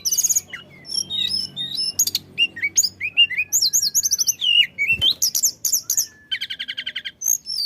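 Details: Flycatcher called tledekan in full constant song, intended to prompt other birds: chattering high notes and twisting whistles, ending in a quick run of evenly repeated buzzy notes.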